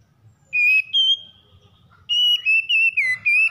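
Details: Magpie-robin in stressed condition giving morning song: pure whistled notes in two groups, a couple of level tones then a run of four or five sustained whistles, one dropping in pitch; low background murmur.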